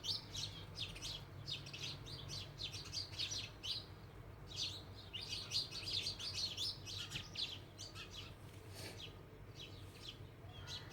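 House sparrows chirp busily and overlapping, short bright notes tumbling in quick irregular bursts, with a low steady hum of background noise.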